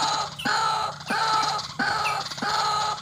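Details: Energetic calls of a white-breasted waterhen, played to lure birds into traps. Long, raucous, ringing notes repeat roughly every second and a half.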